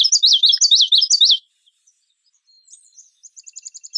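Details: Common yellowthroat giving one fast phrase of about five repeated, slurred, wavering notes lasting just over a second, followed by quiet high ticking notes from a smaller bird.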